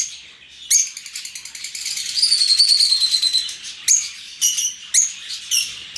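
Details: Open-aviary lovebirds: a single sharp squeak, then a rattling, buzzy chatter for about two and a half seconds, followed by a few loud, piercing chirps.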